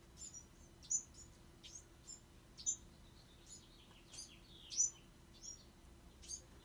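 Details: Bewick's wren fledglings calling: short, thin, high chirps repeated irregularly about every second, some notes sharper and louder, over a faint steady low hum.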